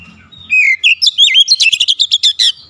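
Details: Oriental magpie-robin in a "shooting" song display, unloading its repertoire: a rapid series of about fourteen loud, sharp, high notes, the first ones swooping, the later ones short and clipped.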